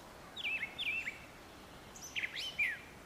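Brown thrasher giving a pair of matching slurred, whistled phrases, then a second burst of varied, sharper notes after a short pause; faint background hiss.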